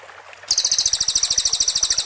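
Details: Cililin song used as a master for white-rumped shamas, rapid tight bursts: after half a second of quiet background, a piercing high trill starts abruptly and pulses steadily and fast to the end.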